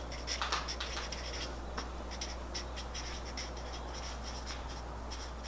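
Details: Soft pen-on-paper scratching and tapping in a small room over a steady low hum.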